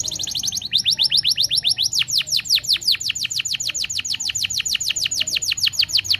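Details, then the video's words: Energetic canary song from a training recording played to make other canaries sing: a long run of quick, high, downslurred notes repeated several times per second, steady and loud throughout. "Kenari Macet Langsung Ikut Gacor l Masteran Kenari Gacor"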